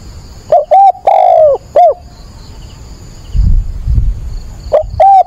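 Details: Spotted dove used as a decoy, calling at dawn on 22 October. A complete phrase of soft coos with a long downslurred third note, then low thumps and the start of another phrase.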